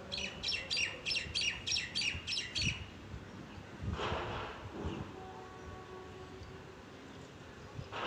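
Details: Two mynas, one calling and the other joining it; a rapid run of about eight sharp, repeated squawky chirps, then rustling and background noise.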